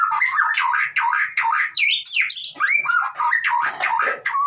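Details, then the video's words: White-rumped shama song used to prompt a silent bird into singing: a loud, continuous, varied run of whistled and slurred notes, rising and falling sweeps and sharp chattery bursts, with no pauses. "MURAI batu konslet PANCINGAN buat murai batu yg BISU jamin COOR DOOR"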